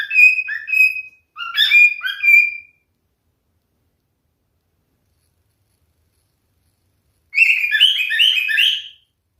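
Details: Male cockatiel kept as a pet, singing: two short bursts of bright, harmonic chirps and warbles in the first three seconds, then silence, then a busier chirping phrase near the end.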